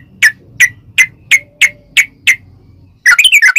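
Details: Sooty-headed bulbul used to coax other bulbuls to sing: seven evenly spaced, sharp whistled notes with faint background noise, then a fast tumbling burst of bubbly notes at the end.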